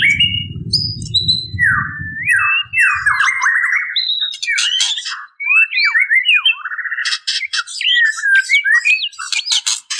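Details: White-rumped shama female calling males, giving quick whistled upslurs and repeated downslurred squeaky notes, then harsh high buzzes; low rumbling noise during the first seconds.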